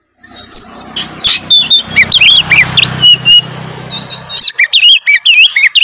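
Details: Oriental magpie-robin singing in loud ngeplong style to provoke rivals: rapid repeated looping whistled notes, several per second, over a low humming background that stops partway, after which the bird's notes continue clearly.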